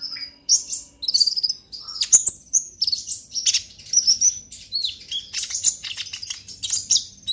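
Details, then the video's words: Purple-throated sunbird chattering song, used as a lure to get other sunbirds singing: rapid high thin twitters and short sharp notes, dense and busy throughout, with quick downslurred chips. "Pancingan KONIN Bahan agar GACOR NGOBRA EMOSI - Purple Throated Sunbird"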